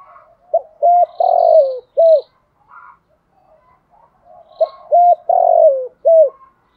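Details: Spotted dove used as a decoy to lure wild doves, singing in the Thổ voice style: two low, mellow cooing phrases, each a short run of clipped hoots followed by a longer swelling coo and a final hoot, with soft chatter between.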